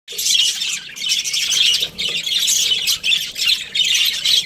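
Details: Australian budgerigars, a breeding pair, give dense high-pitched chirping and scratchy chatter that runs almost without pause, with short breaks near one and two seconds.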